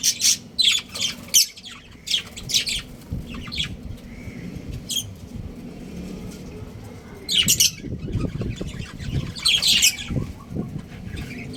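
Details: Chirping from a breeding pair of pet budgerigars. Bursts of sharp, high chirps come in clusters between quieter gaps, with a soft low rumble and some handling noise underneath.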